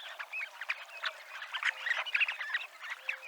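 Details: Dunlin (Calidris alpina) on the Abruñeiras seafront in Noia, Ría de Noia; soft, dense chatter of short notes, with several brief whistled, upslurred calls rising above the group.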